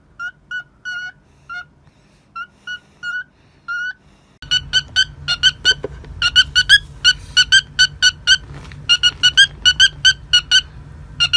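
A cockatiel gives short, clipped electronic-like beeps, first spaced in small groups, then faster and steadier over a low household hum.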